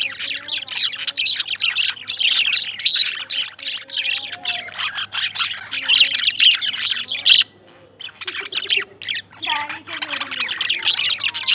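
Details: Several lovebirds chatter continuously with harsh, high squawks and chirps. A short silence falls near the middle before the busy chorus resumes, over faint low hum-like tones.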